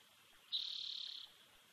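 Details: Lone bald eagle eaglet in a Big Bear Valley nest, filmed by a nest cam in June 2019 after its nestmate's death: a single sharp-onset, steady, high-pitched whining note lasting under a second, slightly tremulous, then quiet hiss.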